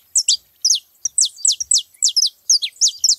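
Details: Saffron finches gathered at a feeding spot: loud, high, sharply down-slurred chirps repeated rapidly in quick pairs and bursts, nearly every quarter second, with a clean background.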